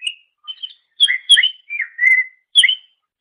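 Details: Clear whistled phrases of a greater green leafbird, recorded as a master for training songbirds: sharp rising-falling notes and one drawn-out steady whistle.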